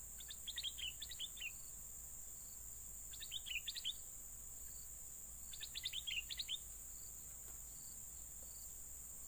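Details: Yellow-vented bulbul call used to lure birds: three bursts of bubbly, quickly warbled notes about every two and a half seconds, over a steady high insect hiss.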